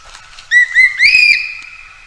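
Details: Common green magpie calling for a mate: a short clear whistled phrase, two brief notes, then a longer rising-and-level whistle, over a quiet background.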